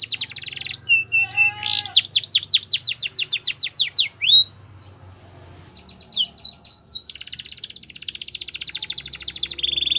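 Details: Belgian canary champion song used for training young canaries: rapid series of bright upswept whistled notes repeated in quick trills, a brief pause, then more rising sweeps and a dense buzzy rolling trill to the end.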